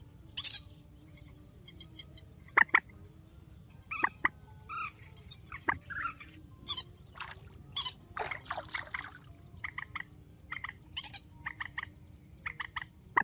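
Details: Grey-headed swamphen calling: scattered nasal honks and sharp cackling bursts that grow denser and more rapid toward the end, over a low background rumble.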